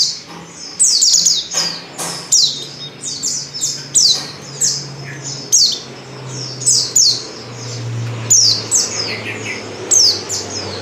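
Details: A female white-eye in heat calls for a male with bright, high tweets that slide downward, often paired or tripled, coming in irregular clusters every second or so over a faint low hum.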